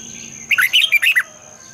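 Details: Red-whiskered bulbul gives one brisk morning phrase in the long double-twisted style: five or six loud, warbling whistles in under a second, with a faint constant high whine behind.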